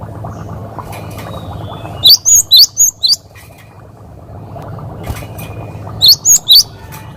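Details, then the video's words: Cinereous tit, a 'wucit wucit' singer used as a tutor recording for training other cage birds. Two bursts of four quick, high, sharp whistled notes, with a low steady hum throughout. "Masteran Burung Gelatik Gacor Wucit Wucit"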